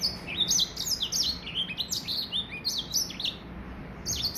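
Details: Young Gray Finch x Lemon Breasted hybrid, three months old, with its first complete song: a steady stream of bright, high-pitched chirps and downward-sliding notes, briefly pausing near the end.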